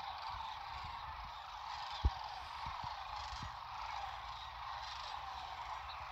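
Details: Tens of thousands of Sandhill Cranes at Whitewater Draw, McNeal, Arizona, on a winter morning at sunrise before their morning flight: a steady, distant roar of massed calls in one rolling wash, a single sharp knock midway, low rumble underneath.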